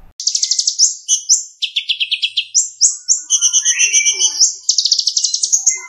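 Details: Olive-backed sunbird (kolibri ninja), a friend's contest bird from Bali: high, rapid song of fast trilled runs and sweeping whistles, varied fill-in phrases linked by louder prominent phrases, the rhythm judged ideal for competition, no other sounds.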